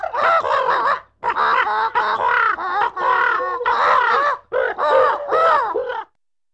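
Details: A medium-sized flock of northern gannets cooing and squawking, with harsh, throaty squawks and grating cackles in dense overlapping bursts, broken by short pauses.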